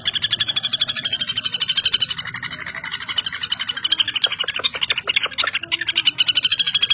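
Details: Common flameback, also called common goldenback, kept as a tutor bird for songbirds: a fast, harsh, ringing rattle of evenly spaced notes runs continuously, about three per second in the loudest stretches, with brief sharp clicks near the middle.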